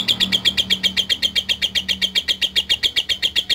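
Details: Lovebird singing to provoke rivals before bird contests: an even, rapid train of sharp high chirps, about six per second, with a faint low engine hum underneath.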